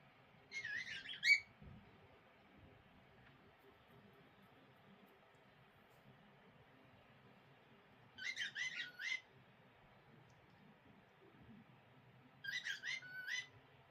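A cockatiel chatters in three short bursts of bright, warbled chirps separated by quiet pauses.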